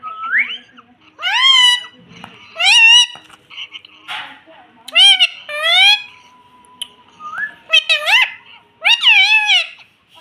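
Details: A young pet rose-ringed parakeet (Psittacula krameri) talking, possibly saying 'mummy': about six loud, shrill, rising-and-falling word-like phrases, some in quick pairs, with brief quiet gaps and a faint steady tone between.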